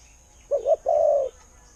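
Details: One phrase from a spotted dove kept as a decoy: two short rounded notes and then a smooth, longer low coo, clean and close over quiet hiss.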